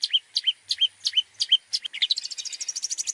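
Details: Long-tailed shrike tutor song for training other birds. Several quick hooked whistles are followed by an accelerating rattle of dense, high, clicking notes, with a faint thin background tone.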